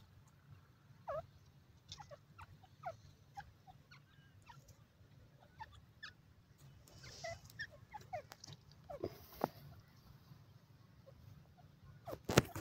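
Brown partridge giving short, squeaky, slightly falling notes in an irregular series, several per second at times, over a steady low rumble.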